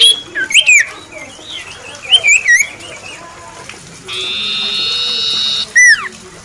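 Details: Common iora, called a champion on stage, starting with scattered twisting whistled phrases, then holding a steady buzzing trill for about a second and a half, ending on a loud falling whistle.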